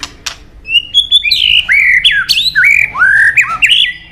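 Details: White-rumped shama, popular with songbird keepers, delivering a loud rich song of whistled, sharply swooping notes, each phrase rising or falling, in a quick continuous sequence with a few squawky accents.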